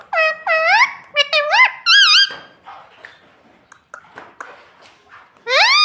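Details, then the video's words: Pet parrot imitating "mummy" and "papa": paired dipping, word-like syllables repeated in quick succession, then soft clicks and murmurs, closing with one long, loud rising call. "parrot talking mummy papa"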